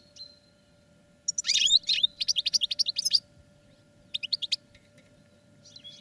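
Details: European goldfinch kept in a cage for training gives a fast rattling series of high chirps, roughly a dozen notes in under two seconds, followed by a shorter chirping run after a pause.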